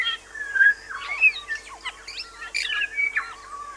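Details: New Zealand bellbird singing on Little Barrier Island, New Zealand: a quick, varied run of clear bell-like notes mixed with harsh squeaky phrases, about two a second, over a faint steady hum.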